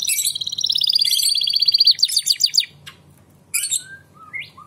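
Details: Canary singing to encourage young birds to sing: a long rapid rolling trill of clear whistled notes, then slower separate notes, a pause, and short twittered and rising whistled phrases.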